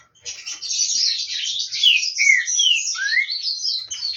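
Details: Song of a bred green-winged saltator getting its throat ready for the season ahead: continuous high, scratchy twittering, with a series of clear downward-sliding whistles near the end.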